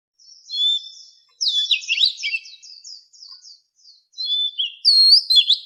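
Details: Forest-voice song of an Oriental magpie-robin for training captive fighting birds: soft high notes lead into a busy, twittering phrase, quieter rapid chips, then bright, looping whistles.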